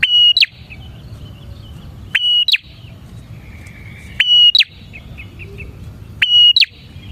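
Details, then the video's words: Bar-winged prinia, used as a lure for prinias, repeating a loud phrase every two seconds: a sharp click, a piercing level whistle and a dropping note, with faint short chirps in the gaps. "suara burung prenjak gacor ini 💯% ampuh untuk pikat prenjak dan pancingan prenjak"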